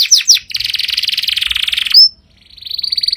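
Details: Powerful canary song: two sharp descending whistles, then a fast dense trill, a bright upward slide, a short pause, and a new rolling trill building in volume.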